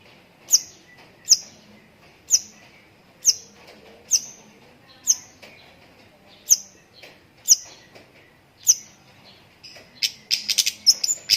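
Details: Long-tailed shrike with lovebird-filled song: spaced, very high, sharp ticking notes about once a second over a quiet background, closing with a denser burst of shrill chatter.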